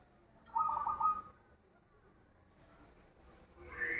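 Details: Zebra dove with a loud voice: one strong, rapidly pulsing cooing phrase near the start, followed by quiet, then a different, higher rising sound at the end.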